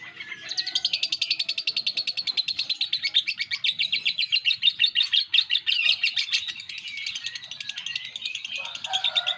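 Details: Kept lovebird singing in the 'ngekek' style: a long, fast, unbroken chattering trill of rapidly repeated high pulses sustained for about nine seconds, steady in rhythm, over faint background noise.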